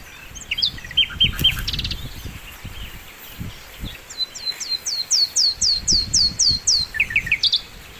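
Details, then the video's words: Sikatan londo flycatcher in lively, full song, used as a master recording for training songbirds: a few short whistles, then about ten high, downslurred whistled notes in a fast, even series, ending in lower chirps, over rural background noise. "masteran mewah sikatan londo gacor"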